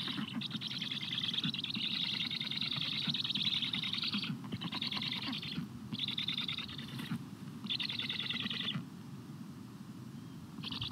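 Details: Black storks at a nest in Estonia, with the male Karl II feeding chicks at 17:15 on 14 July 2022, give harsh, hissing bursts of one to two seconds, repeated with short pauses, over low wind rumble.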